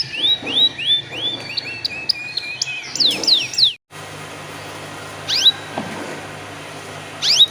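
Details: Canary song meant to prompt other canaries into singing: rising whistled notes and falling slurs for nearly four seconds, a break, then a few scattered sharp descending notes over a steady low hum.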